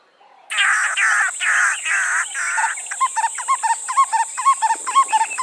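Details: A male and female Black-collared Barbet pair duet: harsh, scratchy notes for about two seconds, then the rapid, ringing 'too-puddly' duet, repeated about twice a second.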